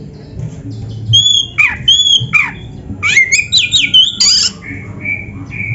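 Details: Oriental magpie-robin (kacer) master song to train caged birds: high clear whistles with sharp downward flicks, a dense burst of squeaky varied notes, then steady drawn-out whistles.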